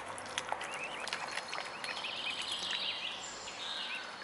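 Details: Mute swan cygnets giving thin, high peeping calls in short wavering notes, scattered through a steady hiss of outdoor background noise.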